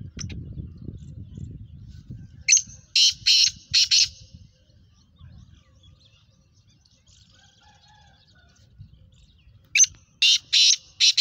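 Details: Black francolin (kala teetar), a Sheedi cross bird with a nasal 'chakri' calling style: two bursts of harsh, grating notes, four rapid notes, then a quiet gap and another fast run of three or four notes near the end.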